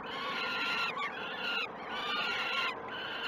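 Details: Peregrine falcon nestlings beg as food arrives at the Great Spirit Bluff nest cam, early morning of 12 June 2018. Two drawn-out, nasal, wavering cries follow one another with a short break between them.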